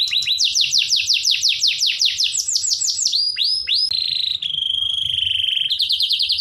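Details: Canary singing a tutor song meant to make young canaries sing persistently: quick repeated downward sweeps, a few rising whistles, then a flat buzzing trill and a higher rippling phrase.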